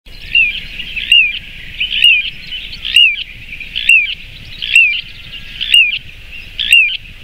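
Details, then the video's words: Little ringed plover (Charadrius dubius) call: short, clear, down-slurred 'pee-oo' whistles, about one a second, eight in all, over a steady high hiss. "Little Ringed Plover Bird Call"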